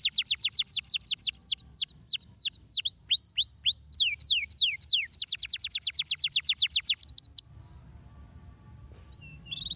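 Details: Canary song played to stimulate other canaries to sing: fast series of high downward-sweeping whistled notes in rapid trills, shifting between phrases, then quiet after about seven seconds with a faint upslurred note near the end.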